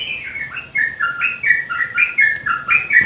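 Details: Sooty-headed bulbul singing in the 'nguklik' style mixed with 'garuda' phrases, a male's lure meant to prompt quiet birds to join in: clear whistled phrases stepping up and down, repeated roughly every half second in a close, indoor-sounding recording.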